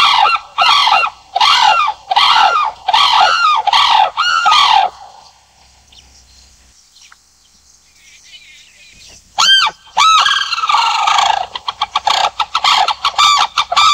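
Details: Sarus crane giving loud, ringing trumpeted calls, about eight arched notes in rapid series, then a few seconds of near silence before another burst of overlapping harsh, rapid calls.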